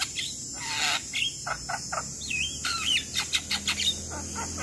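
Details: Lively 'gacor' jalak kebo (Javan myna) song used as master audio for lazy young mynas: sliding whistles and twisting slurred notes mixed with short rough chips, with a constant shrill insect drone behind.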